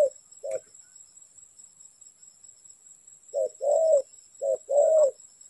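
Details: Spotted dove heard while trapping, a single short coo, then a quiet gap before two soft cooing pairs, each a brief note followed by a drawn-out purring coo, over a faint constant high whine.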